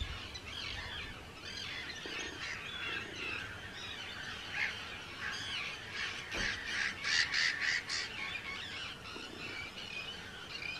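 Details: Hundreds of breeding Arctic terns, Rottumerplaat, the Netherlands, June 2023: a steady wash of scratchy calls, then a loud run of quick, evenly repeated sharp notes from a nearby bird before the chorus settles.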